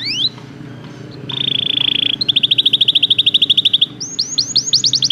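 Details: Belgian canary training song over a background hum: a steady high buzzy note, a long even trill of repeated notes, then a quick run of rising whistled notes.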